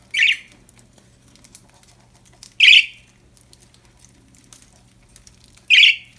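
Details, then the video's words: Happy budgerigars chirping: three sharp raspy chirps spread over six seconds, separated by long quiet gaps with a faint low hum. "Happy budgies chirping sound"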